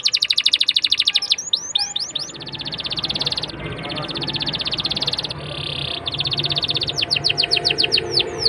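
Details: Canary song played to prompt young canaries to sing: rapid rattling trills and sustained buzzy tones alternating with quick descending chirps over a faint murmuring background.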